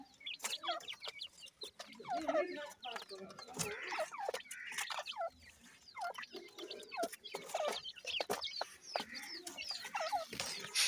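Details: Chicks of the Deccan francolin with their parents, kept and bred: a chatter of thin curved peeps, some hooked downward, repeated over eleven seconds amid light knocking and scratching.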